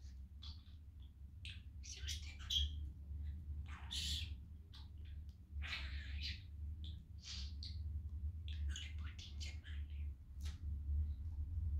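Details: Male budgerigar kept as a pet, in high spirits on a sunny day, talking while playing; irregular bursts of raspy warbling and chirps, some louder, over a persistent low hum.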